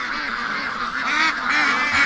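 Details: Domestic ducks calling in a pen, wanting to be let out as the keeper prepares to leave on a rainy day; a continuous chorus of overlapping harsh, nasal quacks and honks from many birds.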